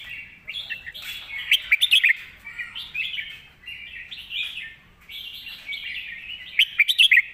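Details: Red-whiskered bulbul competition bird pouring out a thick-voiced master song: continuous rolling warbled phrases, broken twice by rapid salvos of sharp, loud notes.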